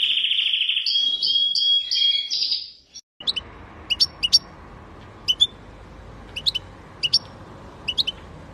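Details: Canary delivering about three seconds of fast trilled, whistled song. The song then stops, and only scattered short high chirps follow over a low background hum.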